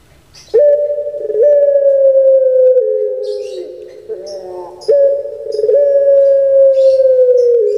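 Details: Puter pelung, a collared dove kept as a cage bird in Java, Indonesia, delivers two long drawn-out coos, each starting abruptly and holding a level, ringing tone for several seconds before dipping and rolling off.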